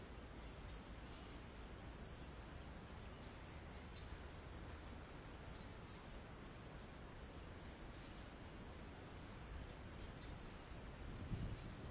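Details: Only steady low rustling and background noise, with no clear animal call.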